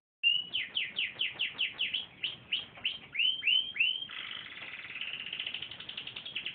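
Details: Canary in full, active song: a fast run of about fourteen bright down-slurred whistled notes, repeated several times a second, then a buzzy sustained rolling trill.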